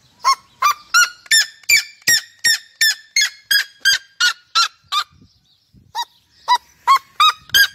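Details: Red-legged seriema: loud, evenly spaced yelping notes roughly every third of a second, falling slightly in pitch. After a brief pause near the end, a few more yelps follow, starting lower and climbing. The setting is otherwise quiet.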